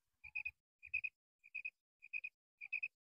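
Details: Female common quail uttering rapid triplets of bright, clipped notes, each group about 0.6 seconds apart, five groups in a row with faint low knocks early on.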